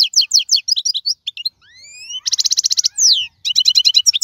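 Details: Wild-caught European goldfinch of the 2022 season, singing a rapid, bright twittering song: fast chattering notes, thin rising slides, a dense buzzy trill and a downward swoop, with no other sounds.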